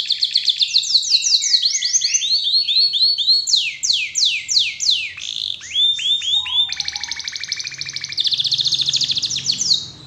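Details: Canary singing to coax other canaries into song: varied phrases of fast down-slurred whistles, rolling trills and buzzy runs, changing pattern every few seconds, with a faint low hum.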